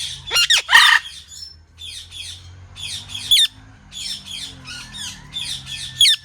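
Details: Parrot squawking in a rapid series of short, scratchy, downward calls. A loud harsh burst opens the run, and clusters come roughly every half second.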